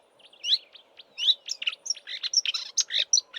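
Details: Elusive marsh warbler singing close by in Eastern Cape bush in March, before flying north, imitating local southern African birds: a hurried jumble of sharp chirps, squeaky whistles and harsh notes, densely packed, over a soft low drone.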